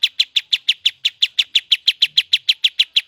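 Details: Sooty-headed bulbul calling energetically, giving a fast, even series of crisp, slightly descending chip notes, roughly three per second for the whole stretch, against a quiet background.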